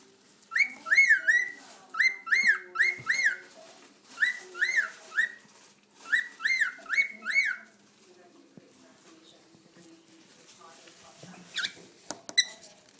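A cockatiel whistles bright, slurred notes in quick bursts of three or four, then chatters softly.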